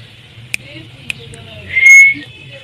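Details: Caged rose-ringed parakeet, a talking pet bird: a few soft clicks, then one loud, strained, level whistle held for about half a second, over a low background hum.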